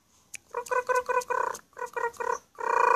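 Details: Black-collared starling singing: a fast string of harsh, buzzy, harmonic-rich notes in two bursts separated by a short pause, ending in a longer grating note, with a sharp click near the start.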